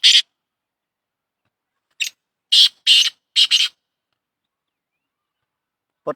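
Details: Kala tetar, a Shedi Sindhi black francolin, opens with a rasping note, falls silent, then repeats its call: a brief scratch, two long harsh grating notes and a tight double note, ending with one soft low click.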